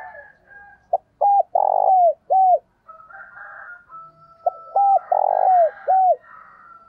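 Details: Decoy spotted dove cooing to call in wild doves: two phrases, each a short note, then hooked, rising-falling coos and a longer burry middle coo, separated by a pause, with faint other birdsong behind.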